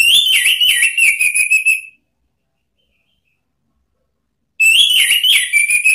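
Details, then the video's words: Loud ngeplong song of an orange-headed thrush used to call rivals: two-second runs of rapid, warbling whistled notes that waver up and down, repeated after a pause of over two seconds. "SIULAN ampuh ANIS MERAH MEMANGGIL LAWAN ¦ PANCINGAN NGEPLONG"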